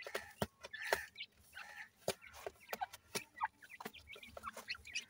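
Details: Newly hatched grey francolin chicks (Dakhni Teetar) give short, high chirps and cheeps scattered among sharp clicking and tapping noises, with some brief rising notes.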